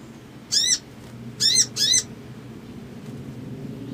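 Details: Crimson sunbird provoking an emotional response: one high arched chip, then two more close together a second later. Steady low background hum throughout.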